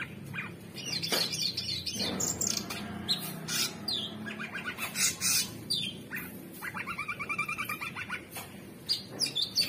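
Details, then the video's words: Varied, busy song from a captive orange-bellied leafbird: swooping whistles, sharp noisy notes and a long quick trill of repeated pulses near the end. "Cucak Cungkok Super gacor"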